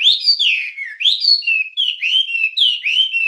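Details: Wambie singing on a master recording for training songbirds: loud, rich whistles that slide downward in repeated phrases about every half second, continuous and clear.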